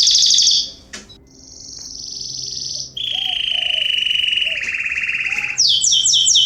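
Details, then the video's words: Garden canaries in September 2020 give long, steady, pure whistled notes at different pitches, broken by a brief pause, then a quick sparkling run of rapid notes at the end; faint lower chirps sound behind. "Canaries singing in my garden"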